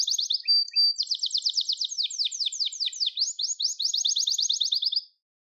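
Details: Gloster canary singing for song training: rapid high trills, a thin pure whistled note held near one second, then fast rolling tours of down-slurred notes that stop abruptly after five seconds.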